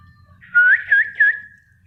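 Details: Spotted bulbul in full song: three loud, clear whistled upslurred notes at a moderate pitch, run together over about a second, over a quiet background.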